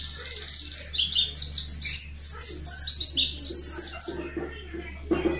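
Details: Mountain white-eye from the wild, sung as a lure to set other white-eyes singing. A buzzy high trill flows straight into a quick, tumbling warble of sharp slurred notes, with faint low hum underneath and a soft knock near the end.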